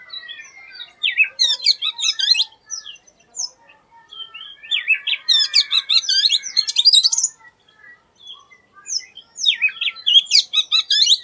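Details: Unusual song of an Oriental magpie-robin: three loud bursts of rapid, harsh, chattering and sweeping notes, separated by softer scattered whistles and chirps, irregular and highly varied, with nothing else clearly heard.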